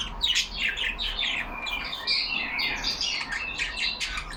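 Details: Several caged yellow budgerigars chattering among themselves, a dense stream of rapid high chirps, squeaky warbles and short buzzy notes overlapping continuously without pause.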